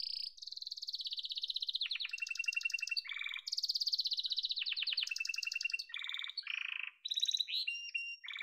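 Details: Long stretch of yellow domestic canary song, alternating sustained high rolling trills with lower buzzy rattles and brief whistled notes in varied tours.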